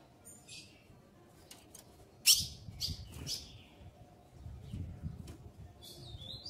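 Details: Eager female ultramarine grosbeak soliciting mating: a cluster of sharp, high chips, one very loud, followed by a thin whistled note near the end, with some low rumbling.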